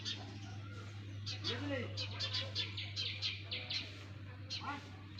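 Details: Baby sparrows calling from their nest with rapid high-pitched cheeping in clustered bursts, a brief low human voice partway through, and a constant low hum underneath.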